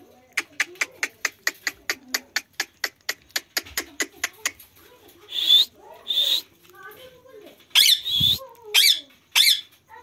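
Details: Village parrot in India, on a swing: a fast series of sharp, even clicks about five per second for four seconds, then harsh, raspy, broadband screeches in short bursts, several in quick succession near the end.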